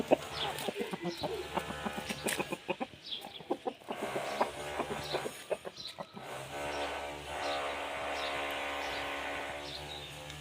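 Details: An Aseel rooster calls to a hen with a run of short, rapid clucks. The clucks come in uneven bursts and then fade into a steadier, harmonic murmur. Background noise is present throughout.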